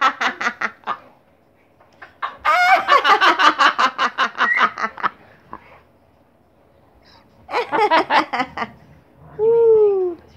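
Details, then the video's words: A female blue-and-yellow macaw laughs, giving harsh, rapid staccato 'ha-ha-ha' bursts in three runs, then a drawn-out falling squawk. "laughing blue and gold macaw"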